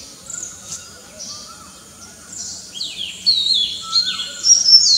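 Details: Oriental magpie-robin in a morning bird chorus. Sparse, faint high notes give way to loud, varied whistled phrases in the second half, over quieter low whistles from other birds.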